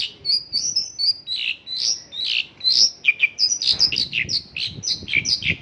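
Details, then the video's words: Mongolian lark singing in the isian lokalan style: fast, varied, high chirps and slurred whistled notes, bursts of sharp descending phrases tumbling one after another with hardly a pause. "Mongolian lark isian lokalan"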